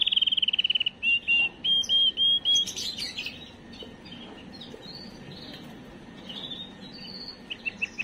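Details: Canary song for stimulating females: opens with a rapid trill, then four long level whistles, a brief noisy burst, and quieter scattered chirps and slurred notes toward the end.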